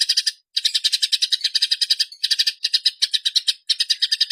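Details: Fighting Eurasian tree sparrow, clearly recorded to train songbirds: rolling chatter of rapid, harsh chirps, split into several bursts by half-second silences.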